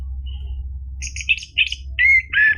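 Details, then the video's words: Orange-headed thrush song used as a lure to get a caged bird singing: a faint whistle, then short high chirps building into louder slurred whistled notes, with a low steady hum underneath. "PANCINGAN ANIS MERAH biar bunyi NYAUT JADI GACOR NGEPLONG ampuh buat terapi macet bunyi"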